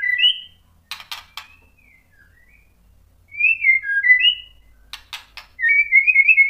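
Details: White-rumped shama, in a lure recording meant to make other shamas answer: sparse short whistled notes and slurs separated by pauses, with bursts of dry clicks and a final wavering whistle.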